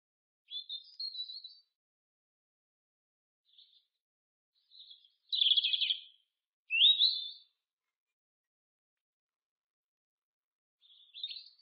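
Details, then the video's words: European robin (Erithacus rubecula) singing: short, high, thin twittering phrases separated by pauses of one to three seconds, some scratchy and warbled, others sliding whistles; a quiet, clean background. "Robin, Erithacus rubecula, birds, SOUND EFFECT"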